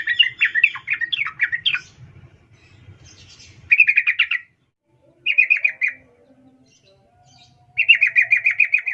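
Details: Female sooty-headed bulbul calling to a male: bursts of rapid, bubbly chattering notes, each lasting about a second and separated by short silences, with soft low rustling in the background.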